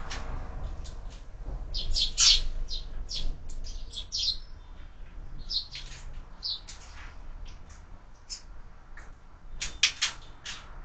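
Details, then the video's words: Sparrows feeding at a feeder fixed to a window at lunchtime: busy irregular high chirps and short tweets in loose bursts, several birds calling, with faint low rumble beneath. "Воробьи в кормушке - Обед"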